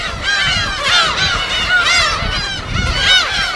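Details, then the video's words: Wild gull colony on an uninhabited Yellow Sea island, Korea; crowded chorus of harsh, nasal, arching calls, several birds overlapping, with light wave noise in the background. "파도소리와 갈매기소리"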